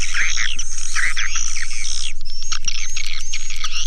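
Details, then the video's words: Swiftlet lure call played to attract the birds. Chirping twitters with a few rising squeaks blend with a thin high whistle, above a steady deep rhythmic pulse at four beats each second. "Suara panggil burung walet"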